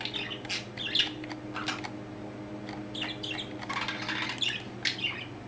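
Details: Pet budgerigar that has recently found its voice, chatting while making funny head movements; rapid scratchy bursts of chatter and brief squeaky chirps run one after another over a steady low hum.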